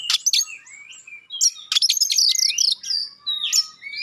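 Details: Oriental magpie-robin singing sharp, shot-like phrases and clear notes meant to provoke other magpie-robins into responding; rapid harsh bursts and up-and-down whistled sweeps, a quieter gap, then a dense run of chattering notes and swooping whistles.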